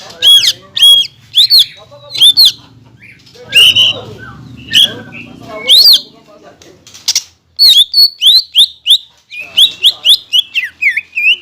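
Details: Green leafbird singing, used to stir rival birds into song, with imitations of kingfisher, magpie-robin and shama said to be included; loud, sharp, rising whistled notes in spaced bursts, then a rapid run of repeated chips.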